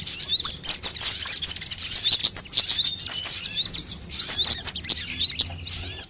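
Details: Sunbird calls for luring birds and encouraging caged birds to sing: busy, overlapping high chirps and squeaky trills in irregular bursts, about seventy-five notes a minute, with almost no pauses.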